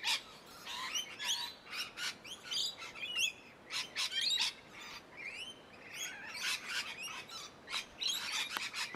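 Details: Rainbow lorikeets in an umbrella tree chatter in a busy flock, with shrill, screechy notes and sharp chirps overlapping almost without pause.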